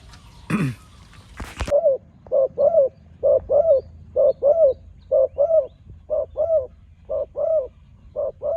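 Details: New spotted dove trained for the first time on a dirt competition ground, cooing in steady paired notes about once a second after two loud knocks at the start.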